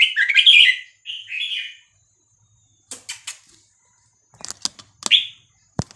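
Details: Red-whiskered bulbul giving Vietnamese 3-4-5-6-7 song for teaching young birds and exciting them: a bright chattering warbled phrase and a second shorter one, followed by scattered clicks, taps and brief chirps.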